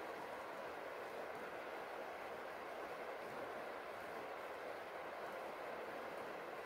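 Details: Steady, even hiss of rain on a rainy day fills the whole recording, with no animal voice heard.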